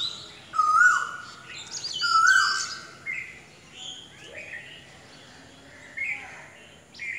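Asian koel giving two loud, clear, rising whistled notes about a second and a half apart, with fainter chirps from other birds behind.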